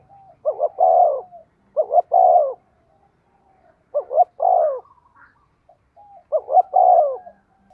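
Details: Spotted dove kept as a decoy, calling fast. Four husky coo phrases, each pairing quick short notes with a longer descending coo, repeated at roughly two-second gaps.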